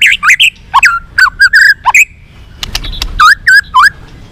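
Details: White-rumped shama in twittering song meant to lure another bird into a singing duel. Clear whistled notes alternate with short chirps in uneven phrases, with a brief quieter gap midway.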